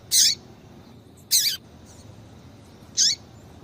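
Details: Female double-collared seedeater call to excite males: three loud, harsh, high chirps, each lasting a fraction of a second and ending in a downward slur, spaced over about three seconds.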